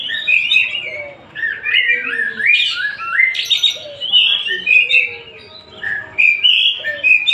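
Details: A Tasik oriental magpie-robin sings a dense, almost unbroken medley of warbled and whistled notes, some rising and some falling, with a few harsh buzzy elements mixed in.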